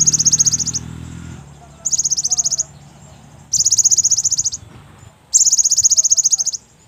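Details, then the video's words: Cinereous tit on a lure recording for stimulating other birds: four buzzy, rapid rattling bursts, each under a second long, spaced about one and a half seconds apart, with a low hum at the start. "Pancingan Gelatik Bahan || Seketika Langsung Nyaut cocok untuk pancingan Gelatik malas Bunyi..!!"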